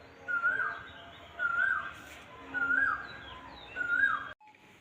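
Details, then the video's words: In a flower garden in late afternoon in spring, an Asian koel gives four loud, rising 'ko-el' notes, about one every second, against faint twittering of other birds. "শুনতে পাচ্ছেন কোকিলের ডাক, তার মানে এখন বসন্তকাল।"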